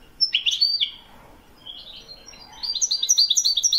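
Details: European goldfinch in Morocco, Widani song, 2021: a loud twittered phrase opens, a quieter gap follows with soft notes, then rapid high tinkling chirps resume and build.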